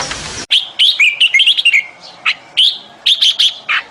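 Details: A bulbul calling to find a mate, recorded 28 May 2021. After a brief burst of hiss, loud, clear whistled and chirped notes come in quick, jerky clusters, some slurring downward, with short pauses.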